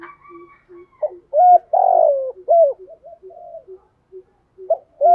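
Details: Spotted dove cooing to call the flock, a recording of male and female birds meant to stimulate trained doves into calling. Low hollow coos, some short and some drawn out, with a softer, fainter call pattern between them and no other sounds.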